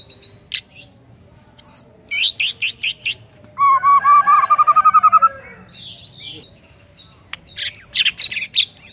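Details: White-rumped shama singing prolifically to stir quiet shamas: sharp high chips, then a rapid even trill of repeated notes, followed by scratchy high twitters.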